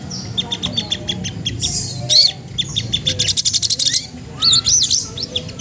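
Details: Magpie-robin song aimed at a rival: rapid high chips and trills with some warbled whistles, a busy sequence with a low hum in the background.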